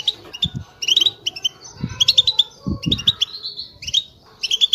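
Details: Several goldfinches in chorus, played to rouse silent birds into singing: dense runs of high liquid twitters and buzzy chirps, broken by soft low thumps now and then.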